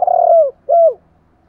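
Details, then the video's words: Spotted dove coo meant to set wild-caught birds calling: a long burry coo that drops at its end, then one shorter smooth coo with the same downward slur. "Tiếng chim cu gáy kich bổi mới[ tiếng thúc . gáy gọi ] chim cu gáy giọng hạp bổi, giúp bổi mau lên"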